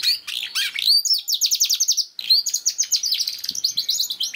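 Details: Singing canary used to coax a young canary into song: a rapid run of repeated buzzy downward-sweeping notes, a short pause, then another quick trill of sliding high notes, bright and continuous.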